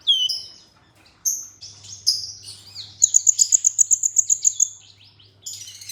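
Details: Olive-backed sunbird, a training recording meant to stimulate other sunbirds to sing: very high thin chirps and slurred whistles, then a quick run of about twelve sharp ticking notes, ending in more high chatter; a faint low hum beneath.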